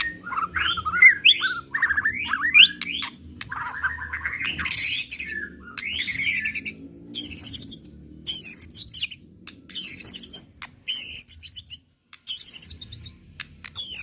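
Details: Emotional 'pastol'-style white-rumped shama song showing its repertoire: tangled rapid whistles at first, then repeated loud bursts of harsh, buzzy high notes separated by short gaps.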